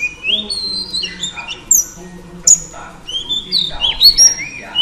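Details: Female Oriental Magpie Robin whose song provokes males: varied rising and falling whistles, a few sharp high clicks, phrases separated by short pauses.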